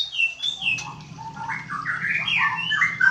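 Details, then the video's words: Young white-rumped shama from Medan singing varied whistled phrases that slide up and down, moving from high clear notes into lower, rambling warbles, with a steady low hum in the background. "burung murai batu anakan medan"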